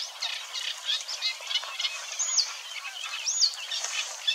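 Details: Eurasian Reed Warbler singing at Wetering West, Overijssel, in May 2022, burbling along contentedly with a little mimicry. A busy, dense chatter of high notes with a few thin whistled slurs rising and falling.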